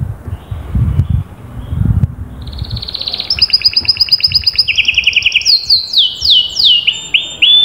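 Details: Canary song played to prompt a quiet canary: after a few seconds of low rumbling, a rapid high trill begins, shifts between pitches, then breaks into loud descending whistled sweeps.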